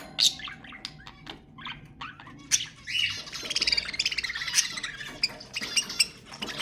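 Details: Budgerigars calling to encourage mating, with scattered chirps at first, then a dense, fast warbling chatter with rapid pulsed notes in the second half.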